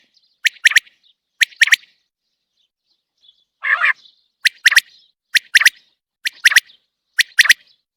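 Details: Common quail, uncaged, delivering a steady series of clipped triple notes, single then paired, with a short lower rasping burst midway through the run.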